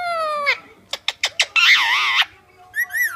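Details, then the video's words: A blue male Indian ringneck (rose-ringed parakeet) talks to a mirror in a harmonic, speech-like voice: a falling phrase, four quick clicks, a wavering warbled stretch, then two short rising notes. "Talking Indian Ringneck"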